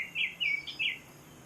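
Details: A Baltimore Oriole sings loudly overhead in late spring in the woods of Great Neck Conservation Area, Wareham, Massachusetts. It gives four quick, loud, clear, slightly slurred notes in about a second over faint outdoor hiss.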